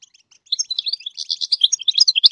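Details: Goldfinch song meant to teach young birds to sing. A rapid, jumbled stream of high, sharp twitters and trills starts after a short pause and grows steadily louder.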